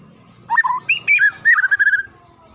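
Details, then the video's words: White-rumped shama gives a brief, rich phrase of clear whistles, rising and falling, ending in a quick run of repeated notes. "SUARA ASLI MURAI HUTAN"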